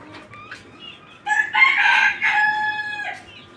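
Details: Farm-kept native deshi chicken, one of 29 egg-laying hens: faint thin notes at first, then a loud, strained, rasping call lasting nearly two seconds, wavering in the middle before it fades.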